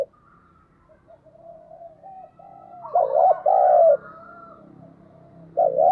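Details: Cooing of a decoy spotted dove meant to lure wild doves: a run of soft low coos builds to one loud two-part coo with a long second note, another starting at the end.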